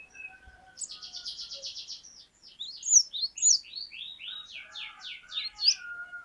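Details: Cinereous tit (glatik batu) in song: a buzzy, rapid trill gives way to varied sharp rising whistles, then a run of quick descending slurred notes, with a faint lower whistle underneath.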